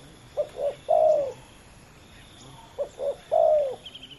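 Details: Two male spotted doves in a heated ground-luring contest. The low cooing phrase is given twice, each as two short hoots and then a long falling croon, about two and a half seconds apart. A faint insect trill follows at the end.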